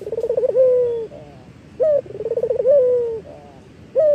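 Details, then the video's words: Local collared dove (puter lokal) singing actively, used as a lure for training other birds: a short sharp note, then a rapid stuttering roll flowing into a long, slightly falling coo, repeated twice with a quiet gap between. "Suara Puter Lokal Manggung . AMPUH UNTUK MASTERAN ! Pancingan Suara Burung Puter Lokal Gacor !"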